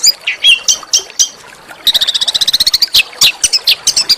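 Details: Small songbird singing harsh master-song bursts aimed at shama and magpie-robin: a few separate squeaky chirps, a brief pause, then a quick even run of high notes and more sharp scattered calls.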